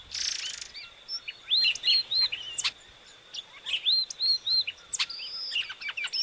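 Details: Epaulet oriole (inhapim) giving repeated curved whistles and sharp upslurred chips in quick, uneven phrases, opening with a harsh noisy burst, over a constant high-pitched background whine.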